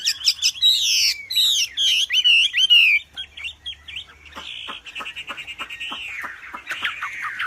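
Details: Wambi with a loud song used as a training master: fast series of bright downslurred whistles, then softer clicks and a long drawn wavering whistle.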